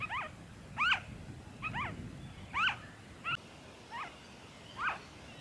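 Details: Noisy friarbird calling in Victoria, Australia, February 2023: seven scratchy, downward-bending notes spaced unevenly over five seconds, against a low background rumble.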